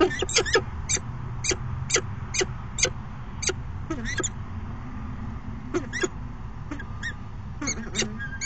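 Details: At a nest box on a September 2016 afternoon, a falcon pair performs a brief courtship dance; a fast run of crisp chip notes opens, then slower scattered calls, some with a drooping tail, over low rumble.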